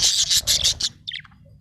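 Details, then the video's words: Cheerful budgerigar giving a rapid run of loud, harsh chirps in close succession, then a few softer sliding notes as it quiets down. "happy budgie chirping sound"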